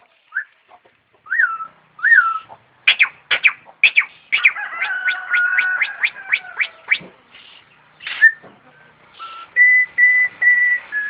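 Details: Starling in melodious song: short upslurred whistles, then a run of rapid sharp clicks over a buzzy warble, a harsh rasp, and finally a series of level whistled notes repeated about once a second.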